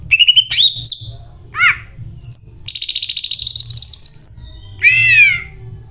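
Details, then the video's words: Greater green leafbird delivering its cililin-filled song: quick stuttered notes, a falling slurred whistle, then a long fast trill of even pulses lasting nearly two seconds, ending with a loud descending buzzy note. "CUCAK IJO MEWAH BONGKAR ISIAN CILILIN GACOR DOR"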